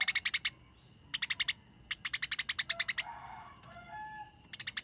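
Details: Eurasian tree sparrow in a fight, pouring out quick strings of bright, sharp chirps in several bursts, with a soft, muffled twittering and faint whistles during the gaps.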